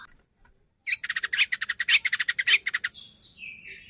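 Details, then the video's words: White-rumped shama used to trigger another shama's singing: a fast burst of about twenty harsh, scratchy clicking notes rattled off in under two seconds, fading into a faint buzzy trail over low background hum. "Murai batu gacor AMPUH buat PANCINGAN murai batu agar bunyi JADIKAN burung murai EMOSI"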